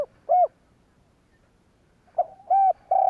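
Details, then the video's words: Spotted dove cooing to provoke rival doves, with a single short hoot, a pause, then a stuttered start and two more steady low coos. "Tiếng cu gáy kích bổi kích sẽ gáy"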